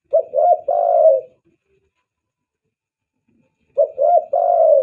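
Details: Spotted dove calling as a lure for attracting doves: two low, mellow cooing phrases, each with short quick coos and then a longer hoarse drawn-out note, separated by about two and a half seconds of silence.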